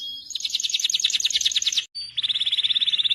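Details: Canary song: fast, rolling trills of repeated notes high in pitch, one run then a brief pause and a second steady, rapid trill.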